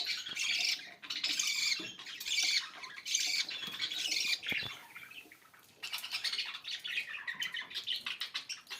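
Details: Continuous harsh budgerigar chatter with rasping warbles in loud bursts, easing briefly before a run of quicker, clicky chirps.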